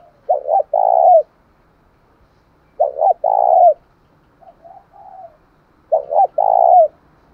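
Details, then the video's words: Spotted dove giving a luring call in the style locally called thổ sấm. Deep coo phrases, each two quick notes then a longer drawn-out coo, repeat about every three seconds. Softer, fainter coos sound between them. "tieng chim cu gay kich boi"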